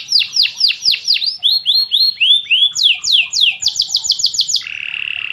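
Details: Canary singing, suited for training other birds: rapid series of high descending slurred notes in changing phrases, some slower and lower, ending in a steady buzzy trill; faint low background rumble.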